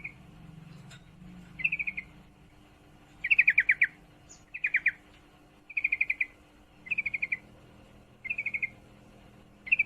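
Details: Female sooty-headed bulbul in heat calling to a male: short bright bubbly phrases of rapid descending notes, each phrase about half a second, repeated roughly every second or so, with a faint low hum beneath.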